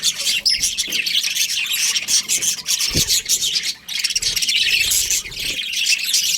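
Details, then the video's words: Breeding pair of budgerigars chirping: dense, scratchy high chatter of rapid twitters and squeaky notes, nearly continuous, with a brief lull near the fourth second. "Budgies Chirping Sounds"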